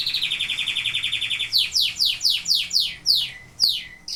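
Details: Canary singing a rapid even trill of about fifteen pulses, then a string of loud descending whistled slurs, one every third of a second, with a brief click.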